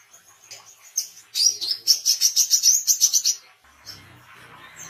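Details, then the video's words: Oriental white-eye singing, used for training songbirds and luring wild birds: a string of rapid high chirps rising in loudness for two seconds, followed by a low hum in the background. "WICEH GACOR SUARA BESET COCOK UNTUK MASTERAN DAN PANCINGAN WICEH BAHAN"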